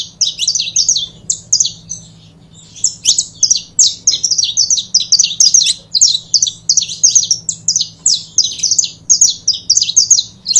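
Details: Saffron finches, a pair, recorded to stimulate other birds, pour out a long, busy series of piercing high chirps in rapid rhythmic bursts, with one short pause early on and a low hum underneath.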